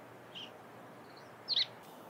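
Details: A Eurasian Tree Sparrow near Lake Hamana and Kanzanji hot springs, Japan, in early morning (dated 03/17) gives a quick, bright double chirp, preceded by a fainter high note, over a soft background hiss.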